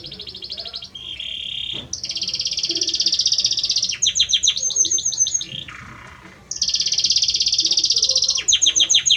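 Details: Male Belgian canary singing a great deal for its female, pouring out long rolling trills, some fast and buzzy, broken by a lower rattling phrase and short pauses before the high rolls resume.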